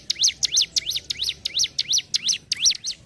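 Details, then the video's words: Rapid ngentrok song of a hill prinia (ciblek gunung): evenly spaced, piercing V-shaped chips of high pitch, about three each second, continuing throughout with little else audible. "CIBLEK GUNUNG GACOR NGENTROK"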